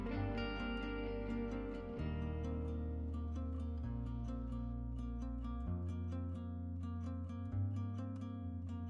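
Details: Gentle plucked harp-like music with soft low bass notes, and no animal sounds.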